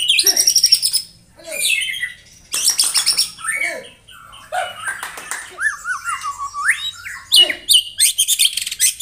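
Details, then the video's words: White-rumped shama singing in the morning to provoke rivals: bursts of shrill chatter and sweeping whistled phrases, some deep slurred notes, with short breaks between energetic varied passages. "MENAIKAN EMOSI LAWAN AGAR GACOR & BONGKAR ISIAN ( TEMBAKAN MURAI BATU )"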